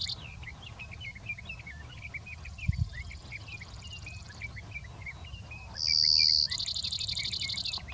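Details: Brewer's sparrow singing its short song from big sagebrush near Silver City, Lewis and Clark County, Montana, a daytime song of males that have not found a mate. Near the end, a high, loud buzz runs into a rapid, even trill over a continuous warbling sage thrasher.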